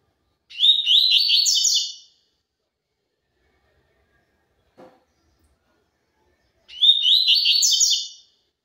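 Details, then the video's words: Pure 'tui tui zel zel' style song of a double-collared seedeater. Two bright, high, fast chattering phrases, each lasting about a second and a half, are set roughly six seconds apart, with a faint click between them. "COLEIRO TUI TUI ZEL ZEL PURO"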